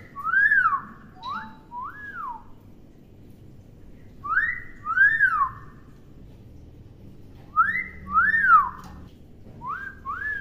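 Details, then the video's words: Tame talking hill myna producing repeated pairs of loud whistled arches, rising and falling, in three bursts about three to four seconds apart, with a shorter rising pair at the end; indoor setting, otherwise quiet. "Beo Jinak Pintar Ngomong"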